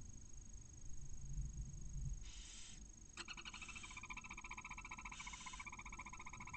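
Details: Inside a barn owl nest in Cabañeros National Park, male arriving with a mouse hours after the first chick hatched; a breathy hiss, then sustained rattling harmonic chitter, with another hiss near the end, over low background hum.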